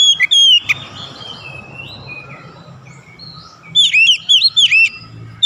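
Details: Oriental magpie-robin giving a short whistled phrase, then a pause with only a soft background hum. A fast burst of bright, looping, up-and-down notes follows, repeated several times in quick succession.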